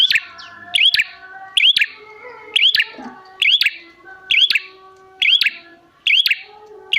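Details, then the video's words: Energetic prinia call meant for luring prinias to respond: crisp double clicks with upward-sweeping whistles, repeated at a fairly even pace near one per second over faint background tones. "Pancingan Prenjak Gacor Jamin Prenjak Malas Bunyi Langsung Nyahut"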